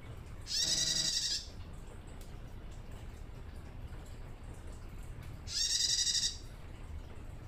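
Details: Female bar-winged prinia, an untrained young bird just learning to call, giving its ngelcir call to attract males: two harsh, buzzy, high-pitched bursts under a second each, about five seconds apart, with quiet background hiss between.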